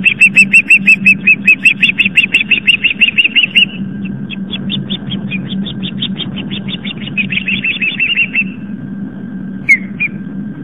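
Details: Alarmed osprey at its nest on Long Island, New York, chasing an intruder away around 7:50 pm: fast, evenly spaced whistled chirps that soften and trail off, then two late notes, steady low hum behind.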